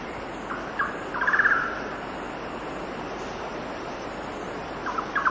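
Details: Golden-naped barbet singing on a windy day at 6,000 ft: short, rapid bursts of pulsed, mid-pitched notes over a steady high buzz of cicadas, distant birds and rushing wind.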